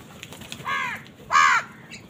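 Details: House crows squabbling with wild birds over food give two harsh, nasal caws about half a second apart, the second louder and sharper, with faint chirps and background noise around them.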